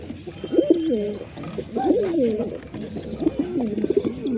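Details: Pigeons cooing in overlapping, gurgling low phrases that bubble and waver almost continuously, with brief pauses between bursts.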